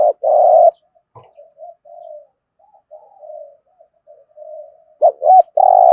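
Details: Spotted dove thúc gù coo: a loud buzzy coo opens, faint low murmuring coos fill the middle, and a looped lead-in note plus another strong drawn-out coo close the sequence.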